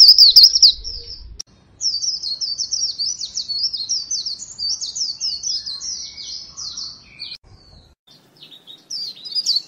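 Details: Lure recording of a white-eye: an opening burst of warbles, a short silence, then a long run of fast, jittery chirps that gradually fade and return briefly at the end.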